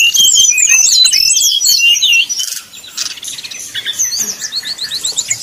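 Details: Brown-chested jungle flycatcher singing 'nyuling' style to rile rival birds into song. Loud, quick zigzagging whistles fill the first two seconds, then fainter, evenly spaced high chirps follow.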